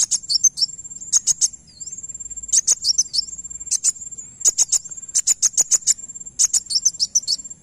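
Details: Van Hasselt's sunbird, in a recording meant to make other sunbirds respond, gives very high, thin, sharp chips in quick bursts of several notes over a steady high insect whine.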